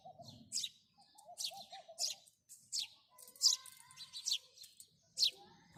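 A house sparrow gives about seven loud, harsh, downslurred chirps, roughly one a second, with softer low repeated notes and faint murmuring in the background.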